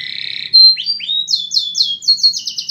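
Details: Canary in mating condition singing: a rapid buzzy trill, then sweeping rising whistles and rolled tours of repeated descending high notes, each roll quicker and higher; quiet background.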